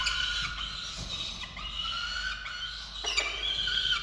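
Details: Falcons at a nest camera in Orange, Australia, during feeding of chicks on 13 November 2022; drawn-out harmonic squealing calls run almost continuously, with a sharper rising note near the end.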